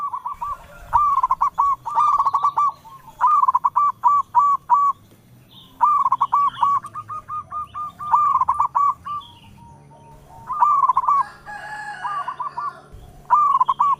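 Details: Zebra dove, local perkutut type, singing repeatedly to all sides: six loud phrases of fast stuttered notes, each ending in a short trill, given about every two seconds, with fainter dove calls between them.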